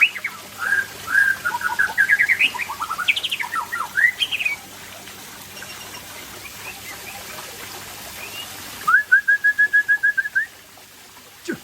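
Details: White-rumped shama of the Aceh type singing in the afternoon: varied whistled phrases rising and falling, then a quick even series of about ten repeated whistled notes, over a low steady background hum.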